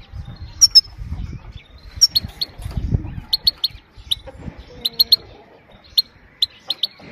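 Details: Female goldfinch giving her calm 'pit pit' call, used to stimulate males and train young birds: short, sharp, high notes in tight pairs and triplets, repeated about every second, over low thumping background noise.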